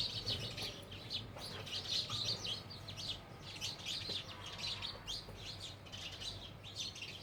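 House sparrows chirp continuously, with many overlapping short, harsh cheeps in a busy chattering chorus, and a low background hum beneath them.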